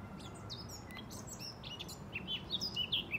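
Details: Common starling song in Tivoli landscape park, Ljubljana, on 19 April 2024: a busy jumble of short high whistles, squeaky slurs and clicks tumbling quickly, over a low steady outdoor rumble.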